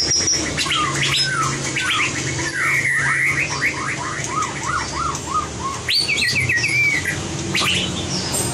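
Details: Training recording of white-rumped shama fighting song: a mix of slurred whistles and a rapid descending series of repeated notes, followed by sharp high ticks and a brief warbled phrase.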